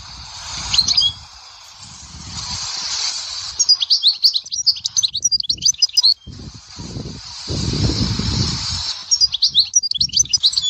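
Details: Dahouara-style European goldfinch song from Souk Ahras, Algeria, heard as scattered bright, high twitters and sharp chirps between stretches of hiss, with low rumbling handling noise in the background.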